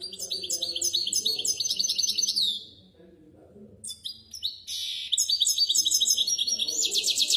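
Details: Training song of a misto hybrid canary for young birds: stuttering runs of repeated high notes, a brief quiet gap, then dense fast trills ending in a buzzy rolling phrase.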